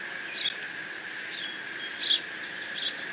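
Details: Bald eagle eaglet at the Decorah nest on 30 June 2017, alone after its father delivered a fish, squeeing while mantling it; three or four short, high, piercing notes spaced unevenly over a steady mechanical hum.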